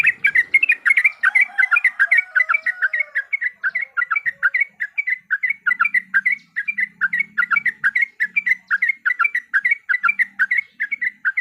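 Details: Yellow-vented bulbul song used as a lure to set other birds singing in fighting mode: rapid bubbly chattering notes, about three per second, sustained throughout, with a faint low hum in the middle part.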